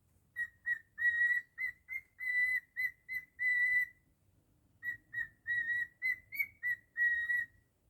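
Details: Domestic cockatiel whistling a personal rendition of Jingle Bells: bright, steady-pitched whistles in two phrases of quick repeated notes and longer holds, separated by a short silence.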